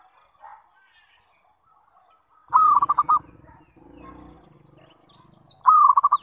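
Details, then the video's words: Zebra dove calling as a lure so other zebra doves answer: two low, mellow cooing phrases, each a held note breaking into quick throbbing pulses, the second cut off at the end, with a soft rumbling noise between them. "SUARA PANGGILAN PERKUTUT - PANCINGAN SEMUA JENIS PERKUTUT"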